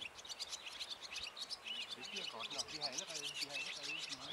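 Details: Barn swallows resting on a wire on Saltholm: dense, high twittering chirps and short buzzy notes run throughout, with lower wavering harmonic tones joining in the second half.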